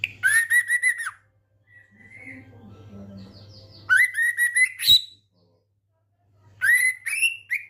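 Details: Trotolan-style song of a male mutation white-rumped shama from Medan. Rapid bursts of chattering, ringing notes are mixed with bright whistles, broken by quiet gaps with softer low notes in between.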